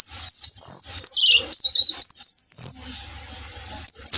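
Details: Orange-headed thrush song meant to lure others into singing: a loud, flowing whistled phrase of slurred, undulating notes lasting about two and a half seconds, a pause with low thumping, then a brief high note.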